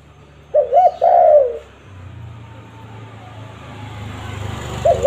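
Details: A spotted dove's lure call gives a hoarse phrase: a brief double note and a long coo that sinks at the end. A quiet pause with low rumbling background follows, then the next phrase begins.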